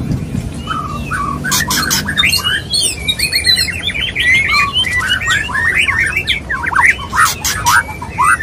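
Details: Male white-rumped shama courting a female during mating: a busy run of varied whistled notes and rapid slurred phrases, some rising and falling, broken by harsh scratchy bursts, with a low hum early on.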